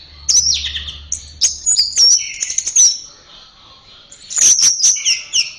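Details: Orange-headed thrush song from Indonesia, used as a tutor recording for training pet birds: loud, varied whistled phrases and sharp high notes in bursts, with a low hum during the first two seconds.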